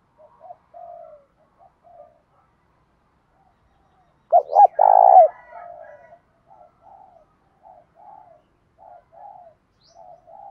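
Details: Loud, clear spotted dove coo in the thổ style, a fighting and calling song: soft short coos, then one strong phrase of two quick notes and a long drawn coo, followed by a run of quieter repeated notes.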